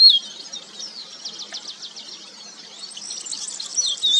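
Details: Crested lark (Galerida cristata) singing: a loud, bright whistled phrase opens and closes the passage, with a faint, rapid run of high, repeated chirping notes between them over a soft background hiss.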